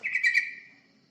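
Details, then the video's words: Yellow-vented bulbul (terucukan) used as a lure to draw other birds: one brief bubbly, gurgling note that fades quickly in a quiet setting. "Pancingan burung terucukan"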